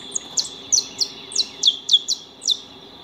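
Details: High, sharp chip notes from saffron finches feeding at a house, repeated about three times a second, with a constant high tonal hum behind them.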